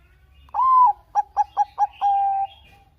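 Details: Bangkok zebra dove in song, a lure for doves that are slow to sing: a long slurred opening coo, four quick clipped notes, then a long steady closing coo.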